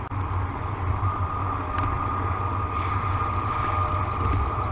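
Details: Outdoors, a continuous vehicle rumble with a faint steady tone and a few clicks is heard, but no animal sounds.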